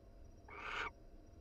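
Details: Inside a nest box, a wild barn owl pair cuddles while one gives a single rasping, breathy screech just under half a second long that swells and then cuts off abruptly against low background hum.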